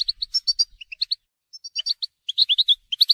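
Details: Goldfinch song in the telqam manner, loose bursts of crisp high chirps and twitters separated by brief silences, irregular in rhythm, quickening toward the end.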